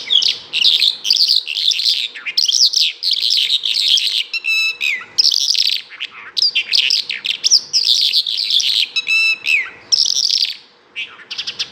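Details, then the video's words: A bimaculated lark sings a rapid, rambling stream of high twittering and trilled phrases, broken by a few harsh buzzy notes, over a faint steady hum. "bimaculatedlark singing"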